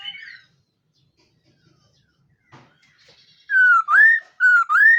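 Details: In morning voice training, a khướu mun laughingthrush gives brief chatter, falls quiet, then sings two loud whistled phrases that dip and swoop upward.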